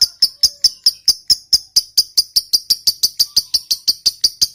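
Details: Lovebird fighter sound used as a lure for silent lovebirds: a regular series of sharp, high, metallic chips, about five each second, steady in pitch and spacing.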